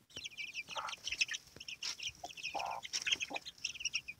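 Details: Hen and her chicks: a steady stream of shrill falling chick peeps, with a few lower harsh hen clucks and some clattering noise.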